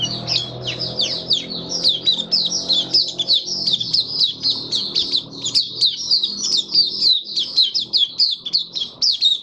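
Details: Open singing from a caged white-eye, 23 March 2022, nutrition tuned to warm humid conditions: a dense, fast stream of sharp high chirps and slurred whistles running without a break.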